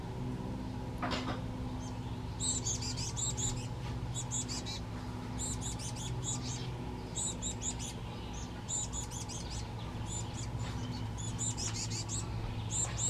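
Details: Black-capped chickadee with a fledgling, San Juan Islands, June 8, 2024: very high, thin chip notes in quick bursts of three to six, repeated every second or two, over a steady low rumble.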